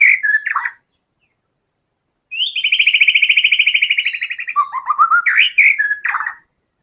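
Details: White-rumped shama in full fighter gacor song. Brief whistles, then after a gap a long rapid trill of repeated notes lasting about two seconds, ending in fast wavering whistles that jump up and down.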